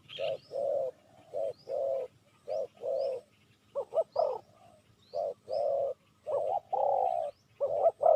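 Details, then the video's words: Spotted dove calling to lure wild doves; low, soft cooing notes in short groups with irregular gaps, a few stronger double coos in the middle, and faint higher chirps from other birds. "Chim cu gáy chiêu kích mồi tập bổi nhanh nổi hiệu quả"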